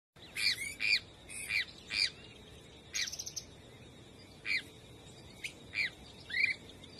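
Nutting's flycatcher giving short, sharp whistled notes, some rising and some slurred, in irregular bursts about every half second to second, plus a brief buzzy chatter.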